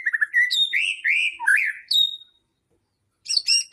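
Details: White-rumped shama song meant to goad other shamas into singing: quick fluty slurred whistles and sharp high notes, a pause of about a second, then a further burst of bright, rapid notes.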